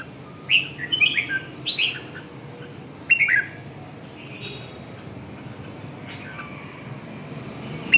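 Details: Song of a red-whiskered bulbul: a run of lively, slurred whistles in the first two seconds, a further sharp phrase near three seconds, then quieter faint notes against a low rumbling background.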